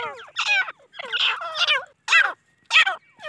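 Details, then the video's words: Grey francolin chicks of mixed Deccani and Iranian parentage utter scratchy descending squeals in uneven clusters, a few loud separate notes near the end with brief silences between. "تیتر کی اواز"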